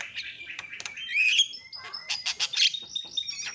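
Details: Javan myna call used as a lure to set off other mynas: rasping notes mixed with thin whistles and sliding chirps, loud squeaky bursts in the middle, fairly continuous for a few seconds.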